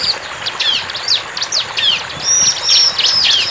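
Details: Lively bar-winged prinia song: quick downslurred and upswept high notes in clusters, then a couple of long, even, thin whistles near the end, delivered rapidly and fairly irregularly.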